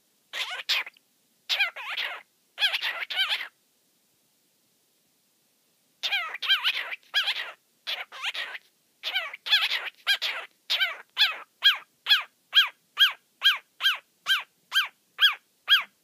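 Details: A male pet cockatiel, who loves to say his own name and whistle, gives bright, harmonic chirping whistles, first in short bursts, then as a steady repeated series.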